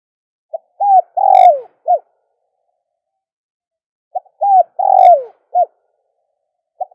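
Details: Calling sound for luring doves: two full coo phrases, each a short note, an arched coo, a long downward-sliding coo and a brief final coo, followed by the start of a third. The background is silent.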